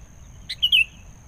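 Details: Sooty-headed bulbul in the wild, drawn in by a lure: a sharp lead-in note followed by a loud two-part bubbling phrase, given once over faint low hum.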